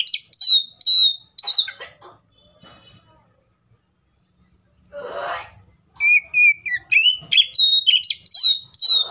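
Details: Oriental magpie-robin in the wild: repeated sharp whistles at first, a quiet gap with a brief rustling noise, then a fast series of bright, rising and falling whistled notes.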